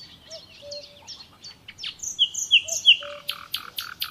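Nightingale song: a fast, varied run of high warbles and whistles, then sharp clicking, rattling notes and a few low piped whistles.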